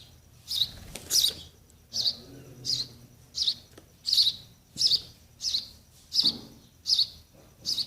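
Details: Baby sparrows waiting for mother and father to feed them: a regular series of short, high, piercing chirps, roughly one every 0.7 seconds, with faint low background noise.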